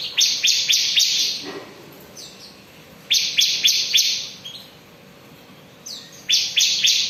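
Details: Bar-winged prinia in ngebren style continuous singing: bursts of sharp, high, rapid chip notes about a second long, separated by brief pauses, with faint softer twittering between the bursts.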